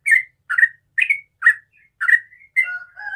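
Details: Morning ropel song of a sooty-headed bulbul: six quick, clipped whistled notes spaced evenly about half a second apart, ending in a longer, lower drawn-out tone.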